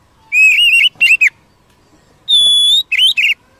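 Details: Wild Oriental magpie-robin, used to provoke a kept bird, giving clear whistled phrases: a wavering whistle, quick slurred notes, a long steady high whistle, then a fast warbled pair.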